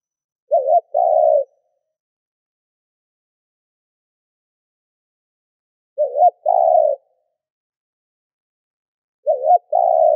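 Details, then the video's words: Captive lure spotted dove cooing three times at long intervals, each a wavering short note followed by a longer level hoot, otherwise quiet. "Tiếng cu gáy mồi thúc gù kích bổi"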